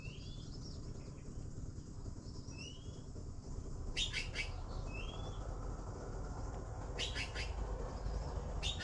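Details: Baby blue magpies awaiting food give loud rasping triple bursts around four and seven seconds and again at the end, after a quieter opening of soft upslurred whistles over a constant low background hum.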